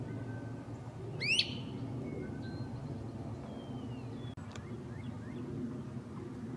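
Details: Great crested flycatcher in treetop forest gives one loud, sharply rising, echoing 'wheep', followed by a few fainter, shorter whistles, over a steady low rumble.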